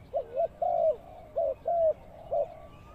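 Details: Spotted dove kept as a ground lure for trapping, cooing in low soft notes: a short note, a longer drawn coo, then two more short-long pairs within three seconds.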